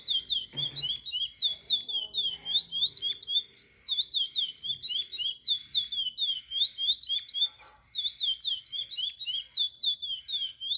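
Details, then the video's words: Song of a chestnut-bellied seed finch, or curió, meant to teach young birds: a long run of pure, sliding whistles, rising and falling in regular succession, with a brief low thump near the start. "Curió para ensinar filhotes."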